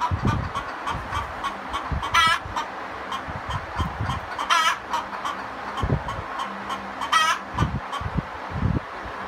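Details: Several domestic hens singing egg songs after laying: three loud, harsh, rising cackle bursts about two and a half seconds apart over softer clucking, with low thumping and handling noise throughout.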